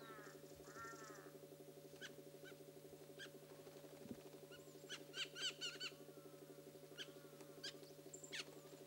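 Black Bulbul giving nasal, mewing notes and sharp squeaky chips in quick irregular bursts, over a steady low droning hum with other bird notes mixed in.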